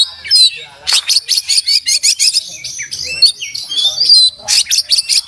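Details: Singing oriental magpie-robin, beak open, song rich in fill-ins and tutored master material: a rapid chattering series of sharp clicks interleaved with short whistled glides and bright rising notes, steady and energetic throughout.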